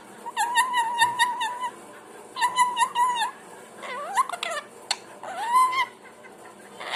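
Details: Parrot producing varied sounds: wavering, harmonic warbled phrases, then rising swooping whistles and a sharp click, followed by another warbled phrase, in irregular bursts.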